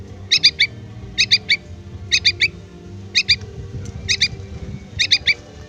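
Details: Yellow-vented bulbul young calling for its parent: clusters of three high, thin squeaks repeated roughly once a second, six clusters, above a steady low drone.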